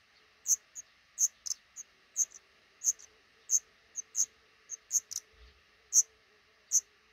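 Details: At a nest tucked under a roof over a regularly used front door, a black redstart couple raises five chicklets; sharp high chirps come steadily, often in pairs, about two each second, with one soft low bump.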